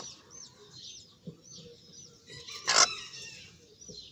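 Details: Sebright chicks peeping in clear, high, arching chirps, several overlapping, with one loud rasping burst in the middle.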